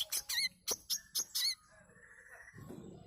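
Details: Six quick, high, sharp chirps from a manggar bird in a lure song, followed by fading low background noise.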